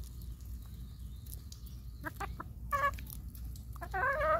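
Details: Farm chickens given corn in the rain: sparse brief clucks and clicks, then a rising, harmonic squawk and a longer wavering call at the end, over constant low-pitched background noise.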